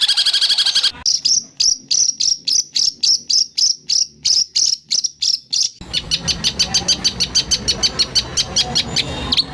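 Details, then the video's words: White-rumped shama training masteran, full 'tembakan' fill: a brief high burst, then a steady series of sharp, high ticking notes about three per second, cut abruptly into a faster, denser rattle of high clicks. "Masteran burung murai batu terlengkap full tembakan kasar"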